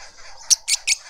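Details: Lovebirds, a family feeding a juvenile in a suburban garden in Pretoria, South Africa: three sharp, shrill, high chirps in quick succession over faint background chatter.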